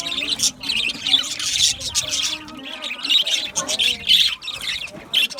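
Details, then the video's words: Budgerigar aviary chatter, clustered bursts of shrill chirps and squawks separated by brief dips, several birds calling together in a high, scratchy warble. "Budgie chirping sound | Budgie parakeet singing | Budgie aviary sound"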